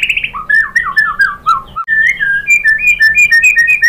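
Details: Lure song of a White-rumped shama: mellow, descending fluted whistles, then a lively climbing series of clear whistled notes, roughly two per second.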